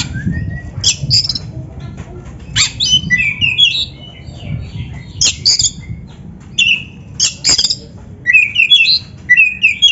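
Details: Oriental magpie-robin training song for beginner or reluctant kacer: lively bursts of mixed whistles, sharp clicks and descending trilled notes, repeated in phrases separated by short pauses.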